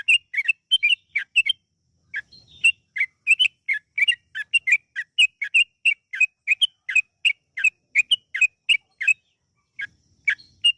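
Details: Lure recording of a yellow-vented bulbul singing gacor ropel panjang, long rapid song: a near-continuous stream of bubbly, slurred whistles broken by short pauses over about ten seconds.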